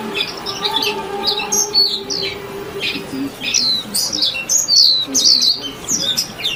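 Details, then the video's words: Scattered high, thin chirps and quick downward-sweeping notes from a singing warbling white-eye, irregularly spaced, over a steady low hum. "tiếng chim vành khuyên hót líu lo"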